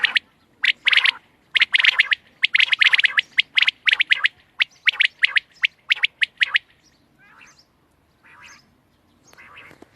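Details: Quail recorded on 31 March 2024 giving a dense run of loud, sharp repeated notes for about six seconds, then falling quiet apart from faint softer sounds.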